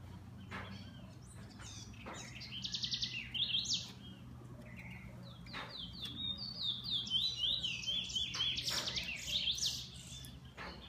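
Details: Bullfinch owned as a pet warbles softly in scattered bursts of high, buzzy trills and quick slurred whistles, separated by clicks and a steady low hum.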